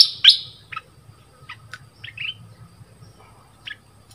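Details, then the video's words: Southern dok taeng bird singing, a recording played to train young birds to sing along: a loud sharp chirp, then scattered short high chirps and brief whistled notes with pauses between, over a low background hum. "เสียงต่อนกดอกแตงใต้Ep6. ไว้สำหรับต่อ หัดลูกนกเปิดให้ร้องตาม"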